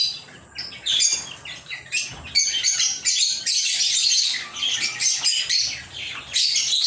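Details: Lovebirds chattering in rapid shrill chirps and harsh squeaky notes, building from scattered calls into a sustained noisy chorus.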